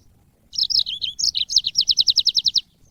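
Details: Yellow-fronted canary singing in training audio for cage birds. The phrase starts with wavering, slurred notes, then breaks into a quick, metronome-like trill of about a dozen high chirps.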